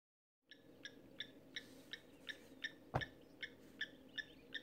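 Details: Giant Kingfisher at Sunset Dam near Lower Sabie, Kruger National Park, at a dam with waders, gives a series of sharp, harsh notes, about two or three per second, over a steady low rumble with one loud knock.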